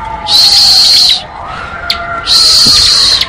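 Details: Bar-winged prinia giving its ngebren song: two long, loud, harsh buzzing bursts separated by a pause, over a faint wavering tone.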